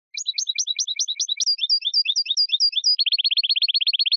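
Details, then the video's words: Continuous European goldfinch song on a clean recording: rapid repeated twittering notes in changing patterns, ending in a fast, even trill. "من أقوى تغاريد طائر الحسون الجميلة"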